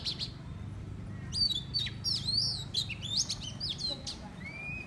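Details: Oriental magpie-robin used as a decoy, delivering a lively burst of looping whistles and sharp chirps after a short pause, ending with a long rising thin whistle; low hum underneath.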